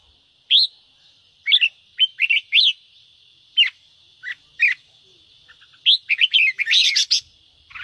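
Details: Red-whiskered bulbul song played to stimulate another bird to sing: short, bright, rising whistled phrases in separate bursts, ending in a dense run of rapid warbled notes, over a constant high hum.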